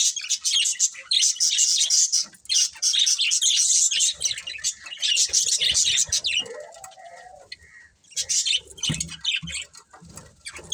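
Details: Budgerigar breeding pair chirping: dense, scratchy high warbling in bursts, with a brief lower whistled note near the middle and short pauses between runs.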